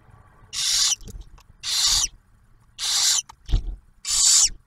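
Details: Barn owls at a refuge nest near Oak Harbor, Ohio, where the male brings food and the female feeds the first owlet; four rough hissing bursts with soft scraping noises between them.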